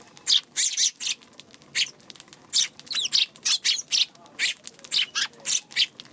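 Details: Eurasian tree sparrow recorded on March 2, chirping busily: a near-continuous run of loud, harsh chirps roughly every third of a second, with a few twisting, squeaky notes mixed in.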